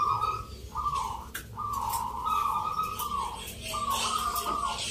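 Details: Perkutut, or zebra dove, singing during a song competition in Yogyakarta, Indonesia, on 19 November; long sustained coo phrases separated by short pauses, with people talking and hiss in the background.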